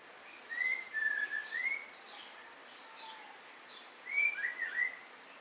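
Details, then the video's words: White-rumped shama song with a long, smooth whistled phrase that dips and rises again, then a pause and a quicker run of twisting whistles, set against steady background hiss. "Murai. Batu"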